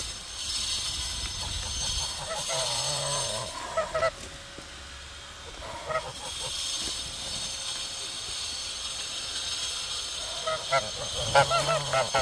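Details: Guard geese, described as more aggressive than guard dogs, on watch: harsh, nasal honking bursts near the start, around the middle and in a rising cluster at the end, over a steady loud hissing noise throughout.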